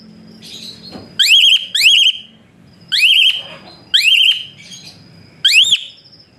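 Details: Asian pied starling, a bird used as a whistling tutor to train other birds, giving loud rising whistles that arch up and level off, repeated in bursts roughly every second with short pauses between.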